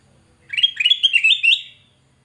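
A Black-crested bulbul gives one quick, bubbly phrase of warbled whistles, about a second long, stepping slightly upward in pitch. Nothing else is heard.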